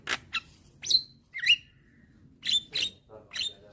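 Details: A young white-eyed Javan myna nods and calls to lure hybrid mynas: sparse, sharp high chips and a twisting whistled note, separated by short silences.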